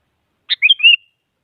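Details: Whistled phrase of a sooty-headed bulbul, meant to challenge a rival so a quiet bird starts singing: a quick piercing note, a brief pause, then several liquid slurred whistles ending in a held tone.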